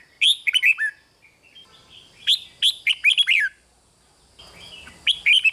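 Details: Red-whiskered bulbul in a cage giving rik song to excite listening birds: three quick bursts of cheerful warbled notes, rising and falling, with light hiss between phrases.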